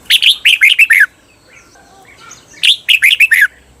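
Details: Thai cage-bird training song of a red-whiskered bulbul in the 'bermle' doubled style: two rapid bursts of about six chirpy, downslurred whistles, separated by a quiet pause of roughly one and a half seconds.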